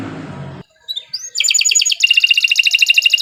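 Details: Long-singing canary used as a master bird for tutoring others: after a brief noisy start and a pause, rising whistles lead into fast pulsed trills, high and evenly repeated.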